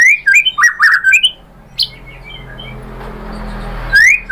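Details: Lure song of a white-rumped shama meant to make a rival sing: a fast cluster of loud whistled notes, a pause with soft faint notes, then one strong rising whistle.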